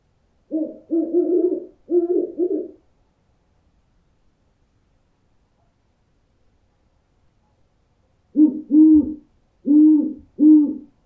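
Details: Owl sound used to scare birds: low, mellow hoots in two bursts, a quick run of about five, then a long silence and four more, evenly spaced.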